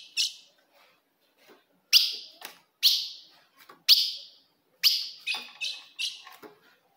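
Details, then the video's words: Female ultramarine grosbeak calling to rouse a male: sharp descending chips about once a second, then a faster run of three or four notes. "se o seu azulão não segura fogo de fêmea Esse é o vídeo"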